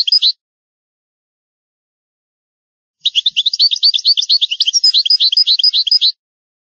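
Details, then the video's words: Rare recording of an old European goldfinch song in the original style. A short twitter is followed by silence, then a continuous three-second stream of rapid, tinkling chirps and trills. There is no background noise. "شريط نادر للغة الحسون الاصلية Chant chardonneret ancien"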